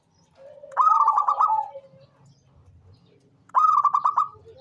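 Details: Two separate phrases from a vocal local zebra dove: each is a fast stuttering burst of ringing coos, the first trailing into a lower drawn note, over faint low rumbling.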